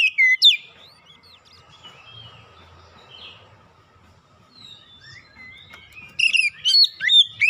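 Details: Lure song of the Oriental magpie-robin, meant to get reluctant birds singing. Loud sharp whistles open the passage. A quiet stretch with faint distant chirps follows, then a burst of rapid varied whistles and chips.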